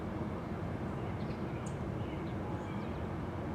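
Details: Only a steady low rumble of distant traffic or aircraft is heard, with no clear animal voice.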